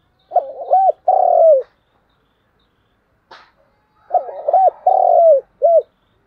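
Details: Spotted dove used as a decoy, cooing vigorously: two full low phrases, each a bubbling run of short notes, a long descending coo and a crisp closing note, separated by a pause with a brief click.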